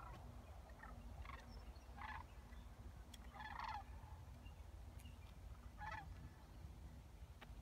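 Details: Sandhill cranes at Creamers Field in Fairbanks, Alaska: rolling, rattling calls come in short bursts every second or so over a steady low rumble of wind or background noise.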